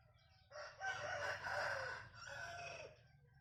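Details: Bantam rooster giving a laughter-like crow: a fairly quiet, rough, harmonic phrase lasting about two and a half seconds, with a brief dip midway. A low steady hum runs underneath.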